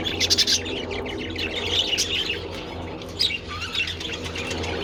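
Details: Budgerigars with treats in the sun on 27 February make harsh high squawks and scratchy chirps in uneven bursts, with a pulsing low hum beneath.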